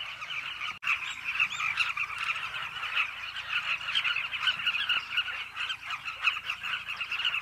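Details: Many Carmine bee-eaters at a cliff nesting colony giving a dense chorus of rough, trilling calls that overlap constantly, with a sharp click near the start.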